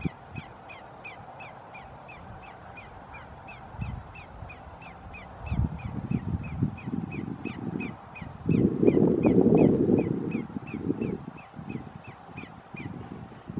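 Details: Greater yellowlegs at Roxbury Park, Meggett, South Carolina, 5 January 2019, giving a long, even series of short ringing downslurred notes, about three per second, partly masked midway by loud low wind-like rumble.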